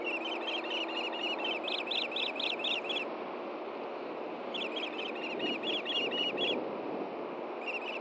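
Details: Wild ospreys at a Montana nest camera, Hellgate Canyon, June 2014, while the male delivers a fish to the female; repeated bursts of fast, high, whistled chirping separated by short silences, with a constant rushing background.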